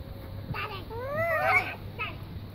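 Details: A talking pet macaw in Bulgaria gives a voice-like rising, harmonic call flanked by two short harsh squawks, over a low background hum.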